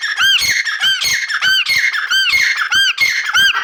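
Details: Grey francolin (teetar) calling indoors: loud, ringing, harmonic arched notes repeated about every half second in a steady series, with nothing else audible.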